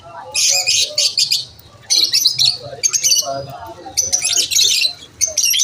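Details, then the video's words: Lovebirds chirping at lunch time in loud bursts of rapid, high, scratchy twittering lasting about a second each, separated by short pauses, several birds overlapping. "Lovebirds chirping sound"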